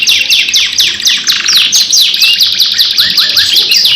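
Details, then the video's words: Lively canary lure song, part of a 2-in-1 recording: steady stream of sharp downward-slurred whistles with a buzzy trill around one and a half seconds, all high and unbroken. "PANCINGAN KENARI GACOR PANJANG 2 IN 1 | CANARY SINGING"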